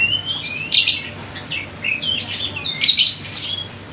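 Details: Sunda bush warbler lure recording of lively birdsong: high, thin chirps and short trilled phrases overlapping, with louder bursts of busy twittering near the start and end.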